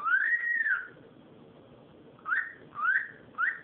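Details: A long arched whistle from a cockatiel, rising then slowly falling over nearly a second, followed after a pause by three short upward whistled notes; soft background hum.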